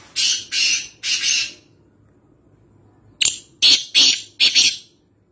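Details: Black francolin, wild, at Nawabshah: two grating call phrases, the first three drawn-out harsh notes, the second a quicker run of four scratchy notes after a pause, clear against a quiet background.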